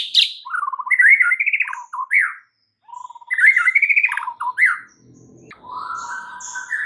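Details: White-rumped shama song loaded with fills, used to trigger singing in a shama that has gone quiet: twice-repeated warbled phrases with trills and slurred whistles, then a drawn-out rising whistle over low noise.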